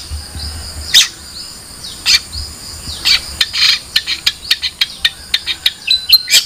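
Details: Long-tailed shrike song: scattered sharp high chips and short buzzy notes, ending in a quickening run of clipped, repeated chirps about every quarter second. A faint low hum sits underneath.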